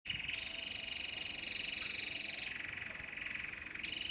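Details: Domestic canary singing a continuous rapid rolling trill of high pulsed notes. Midway the trill drops to a lower, softer tour, then returns to the bright high roll.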